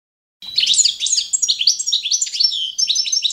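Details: Balkan goldfinch, Carduelis carduelis balcanica, singing to the competition standard used for training young birds: a rapid twittering stream of high, bright chirps, trills and short whistled slurs after a brief silence.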